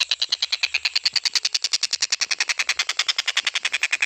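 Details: Stork-billed kingfisher calling non-stop, recorded as a tutor track for training other birds to sing. A continuous fast rattle of harsh, clipped notes repeats about three to four times per second with a steady, mechanical rhythm.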